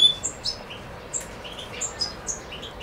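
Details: Macedonian European goldfinch song of the Suki Makedonski style, 7 July 2011: bright twittering notes jumping between high and very high pitches, sharp chirps spaced roughly every quarter second, background quiet.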